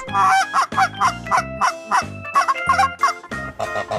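A domestic goose honks in a rapid series, about three loud nasal, harsh honks per second, each with a rich buzzy tone; background music plays faintly.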